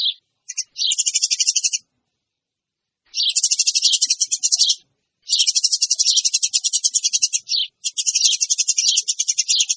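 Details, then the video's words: Noisy Eurasian tree sparrow lure sound: long bursts of fast, harsh chirping notes, each burst lasting a second or more, separated by clear silent pauses, with no other sounds. "SUARA PANCINGAN BURUNG GEREJA RIBUT"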